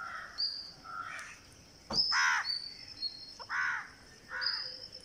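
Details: Green parakeet on day 49, begging while being fed: a sharp click, then three grating, buzzy squawks about a second apart, with faint high whistled notes between them.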